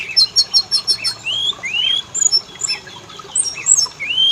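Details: Oriental magpie-robin lure song meant to make males and females sing: a quick series of high rattling chirps, then long rising whistled slurs and scattered sharp notes.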